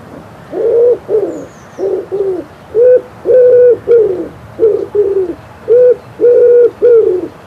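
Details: A common wood pigeon in spring in Poland gives deep, soft, hooting coos in a rhythmic run of paired and single notes. Faint high whistles from other birds sound in the background.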